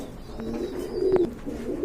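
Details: Pigeons indoors giving a low, soft cooing note that swells briefly midway, with faint clicks and room noise around it.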